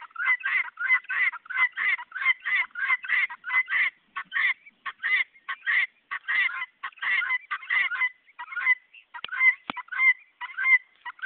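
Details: Guineafowl giving their harsh, rapid call, a chattering run of grating notes repeated about twice a second for over eleven seconds, loud and steady with a few brief pauses near the end; made when curious, scared, hungry, annoyed, happy or lost.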